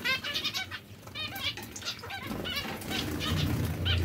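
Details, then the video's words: Zebra finch breeding pairs, caged: short nasal, harmonic-rich honking calls repeated rapidly, several birds overlapping, with low rumbling background noise. "Diamante mandarino/coppie riproduttive"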